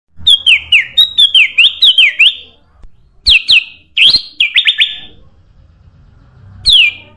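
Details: Sooty-headed bulbul song used as a lure to attract other birds: bright whistled notes sliding steeply downward, given in quick runs of about eight, then scattered single and doubled slurs after a pause.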